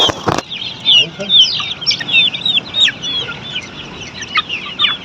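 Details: A flock of Australorp chicks kept on a poultry farm, peeping constantly in shrill, rapid, downward-bending notes that overlap into a dense twittering mass, opened by a brief loud bump at the start.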